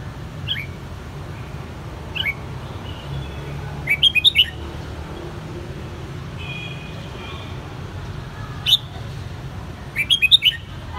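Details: A captive, hand-raised red-whiskered bulbul (Pycnonotus jocosus), kept since the white-cheek juvenile stage, sings. It gives short bursts of bright, liquid whistled notes a few seconds apart over a steady low hum.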